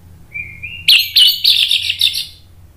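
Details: A captive Orange-headed thrush in a spontaneous agitated outburst gives a thin, slightly rising whistle, then four or five loud, harsh, scratchy notes about a quarter-second apart. A low hum runs underneath.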